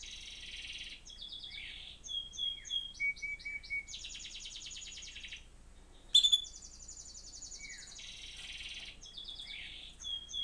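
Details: A pet male canary in an apartment in Port Huron, Michigan, on March 1, 2025, sings a long, varied song of high rolling trills, buzzy rattles and clear whistles, possibly while a canary-training song video plays to prompt him.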